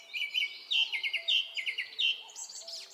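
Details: Japanese thrush singing in a Hokkaido forest in early summer, filmed with a Nikon Coolpix P950: clear fluting whistles alternating with quick repeated trilled notes, phrases returning about every half second in a fluent, varied run.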